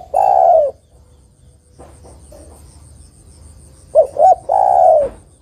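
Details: A female spotted dove calls to the male with a long falling croo, a quiet pause, then a full phrase of two clipped coos and another drawn-out descending croo.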